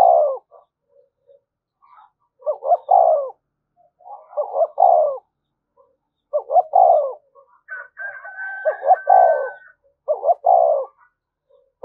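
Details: Spotted dove cooing thúc gù for luring wild doves: five or six evenly spaced phrases, each a clipped doubled note swelling into a long soft coo, and one high thin whistle overlapping midway.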